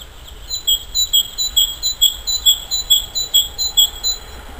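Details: Great tit singing in spring as willows begin to bud: a bright, ringing two-note phrase, high then slightly lower, repeated steadily about a dozen times in quick rhythm over faint low background rumble.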